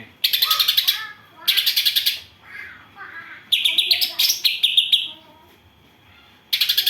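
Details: Greater green leafbird song with gereja and kapas tembak isian fill: loud bursts of rapid harsh chattering notes, each about half a second to a second long, separated by short pauses with faint lower warbles between them.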